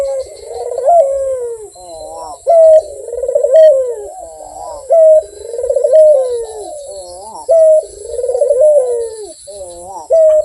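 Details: Repeated cooing from a prolific, sweet-voiced Barbary dove. Roughly every two seconds comes a sharp steady note followed by a rolling, falling coo, and the series continues in a steady cycle.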